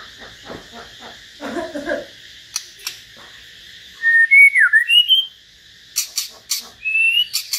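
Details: Common hill myna in a singing duel with a white-rumped shama; soft chattering and a gurgle give way to loud whistled slurs, a swooping note, and sharp clicks, with short whistles again at the end.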